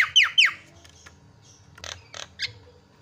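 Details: Javan myna lure sound meant to make other birds call: two loud descending squawky notes at the start, then fainter harsh broadband bursts.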